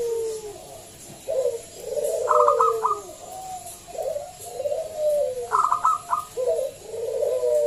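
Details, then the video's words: Local zebra dove singing loudly as a lure for other doves: low coos lead into a crisp run of clipped notes, then flowing falling coos, with the pattern repeated twice. "Pancingan Perkutut lokal SUARA BESAR"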